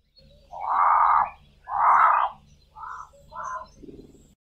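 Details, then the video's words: Cape crows calling in the dawn chorus from treetops, two birds, South Africa: two long harsh caws followed by two shorter ones and a low guttural note, with faint distant birdsong. "CAPE CROWS calling in the dawn chorus"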